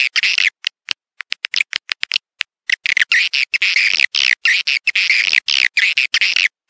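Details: Swiftlet attraction call for a bird house: scattered quick clicks at first, then continuous high, buzzy, chattering twitters in long bursts.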